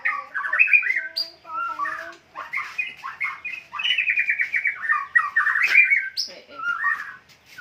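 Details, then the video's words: White-rumped shama song of short bursts of rich warbled and whistled phrases, with quick chattering trills and rising notes, separated by brief pauses, plus a faint low tone underneath early on. "murai batu"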